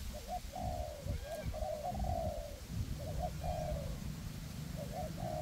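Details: Two decoy spotted doves, one perched high and one on the ground, calling together in a forest to lure wild doves for trapping on a windy day; phrased cooing at mid pitch, short notes then a longer drawn coo, repeated, over low wind rumble.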